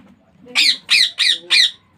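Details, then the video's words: Young ringneck parakeet chick calling with four rapid, grating squawks in quick succession, then the start of a fifth, over faint room background. "Baby parrot sound Ringneck Parrot natural sound."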